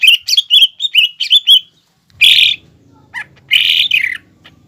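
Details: Green leafbird in a cage singing mimicry-laden fighting song to stir up a rival: a quick run of bright chirped notes, a pause, then two broad buzzy bursts with a single short call between them.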